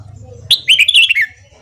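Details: Red-whiskered bulbul singing in the morning for voice training: one clear, rapid, warbling phrase of about three-quarters of a second, bubbling up then gently falling, over a low steady hum.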